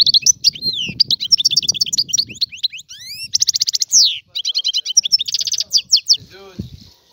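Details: Free Algerian European goldfinch song: a long flowing medley of fast twitters, rattling trills and sweeping whistled slurs, with low rumbling background noise at the start and a low droning sound near the end.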